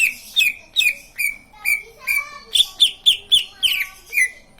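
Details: Green leafbird singing, said to get other leafbirds to join in: loud, rhythmic whistles that drop steeply in pitch, mixed with flatter sustained notes, about two to three each second.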